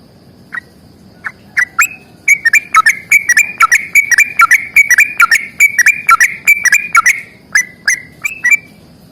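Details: Yellow-vented bulbul giving long, fast fighting song: sparse bubbly notes build into a dense run of rapid chattering, warbled notes, then taper off, with low hum underneath.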